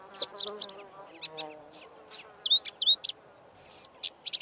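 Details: Karoo scrub robin song laced with mimicry of Diederik cuckoo and pin-tailed whydah; quick high chips and whistled slurs, then one long drawn-out whistle that dips slightly, followed by more sharp notes, over a faint low hum.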